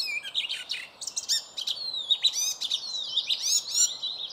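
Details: An icterine warbler sings in a birch grove: a fast, varied stream of chattering, whistled and buzzy notes.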